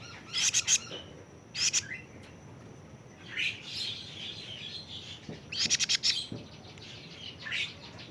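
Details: Plaintive cuckoo youngster aged 41 days producing short, sharp bursts of high rasping pulses at irregular intervals, with softer chirping between them.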